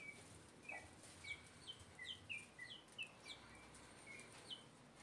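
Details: Guineafowl recorded in 2024, giving a run of short, high, downslurred chirps repeated roughly every third of a second. The notes are somewhat distant, with soft background hiss.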